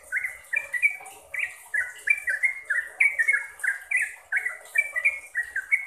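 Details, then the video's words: Continuous sooty-headed bulbul song used to coach caged birds: rich, liquid whistles in quick succession, paired notes dipping and rising, steady and unbroken for several seconds over light background hiss. "BANYAK Trucuk yang jadi GACOR dan ROPEL berkat suara TRUCUKAN ini"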